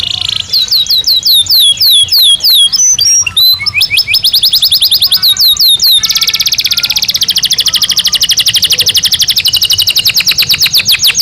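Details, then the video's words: Belgian canary in full song, for training pet canaries: a series of quick downslurred whistles, then a long, very rapid rolling trill that runs without pause for several seconds, loud and high. "Canario Belga Cantando Naturalmente"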